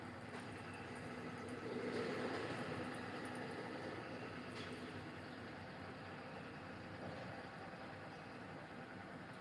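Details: Steady broadband rumble like an idling engine or passing vehicle throughout, with no clear animal calls.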